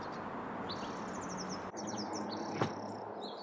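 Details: A Mountain Chickadee in a backyard in the Sierra foothills, California, on 8 April, gives thin, high, slightly buzzy call notes in quick short runs over steady outdoor background noise, with one sharp click.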